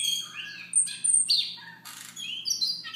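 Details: Soft morning song of a Siberian rubythroat, a run of varied chirps, trills and high thin whistled notes in quick succession, with a faint constant low hum beneath.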